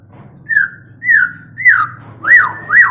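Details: Five loud whistled notes from a mating white-rumped shama, about half a second apart, starting as falling slurs and becoming arched rise-and-fall whistles, over a faint low hum.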